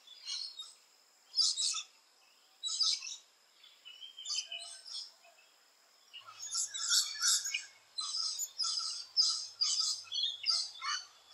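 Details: Rainbow lorikeets nesting in holes: scattered loud screeches early, a lull, then a run of rapid, grating chatter calls in quick succession over the last five seconds.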